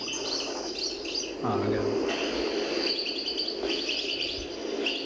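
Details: Old 1970s cassette recording of a European goldfinch (El Meknin) from the El Biar area of Algiers, Algeria, singing a thin, high twittering song with quick liquid notes through tape hiss while a man briefly talks over it.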